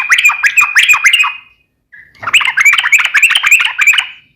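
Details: Vigorous sooty-headed bulbul song in the nembak ropel ngeplong style. Two dense bursts of rich, bubbly warbled whistles are split by a brief pause and a single soft note.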